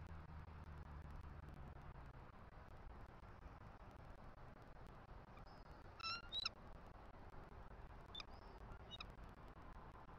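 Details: Bald Eagle, the nesting female F23 at a Southwest Florida nest, calling on 6 Nov 2023 for a nest shift change, which male M15 answers: thin, high squeaky notes in two brief bursts a couple of seconds apart, over steady wind and a low rumble.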